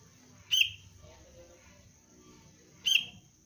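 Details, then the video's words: Young sooty-headed bulbul, trained to lure other birds, gives two clear clipped chirps about two seconds apart, with faint murmuring and a steady high-pitched tone in the background. "Anak kutilang pelatihan dasar untuk pikat Cengkram"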